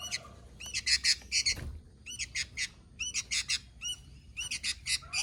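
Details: Sooty-headed bulbul delivering lively, high chirping phrases in clusters of two to four rapid notes, repeated steadily with brief gaps. One dull thump is heard early on.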